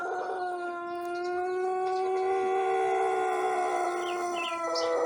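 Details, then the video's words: Pelung rooster, a youngster only a month into crowing practice, heard in the morning before feeding fills its crop; one unbroken, drawn-out tonal crow lasting the whole five seconds, pitch gently rising and falling. "Suara Pelung Jejangkar baru suara 1 bulan"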